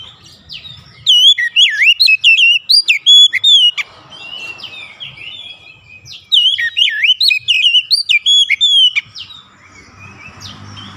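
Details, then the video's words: White-rumped shama song used as a lure to set other shamas singing: two loud bursts of rich, varied whistles and sweeping slurred notes, rapid and irregular, separated by a quieter gap with faint background noise. "APAPUN JENIS KACER PASTI TERPANCING LANGSUNG IKUT GACOR"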